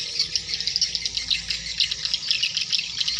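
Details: Hundreds of swiftlets entering their nests at dusk: a dense, unbroken wash of high, rapid twittering and clicking chatter with fluttering pulses of loudness throughout.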